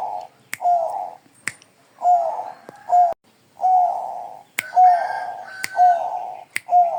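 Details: Zebra dove of the Bangkok perkutut type giving soft, rolling coos in short phrases roughly every second, steady and mellow, with sharp clicking taps scattered throughout.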